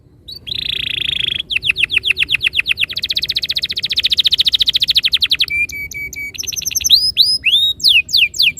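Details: Canary in a lure recording that prompts rolling song: a harsh buzz, then long rapid rolling trills that thicken into a dense churr, brief flat whistles, and finally sweeping curved notes.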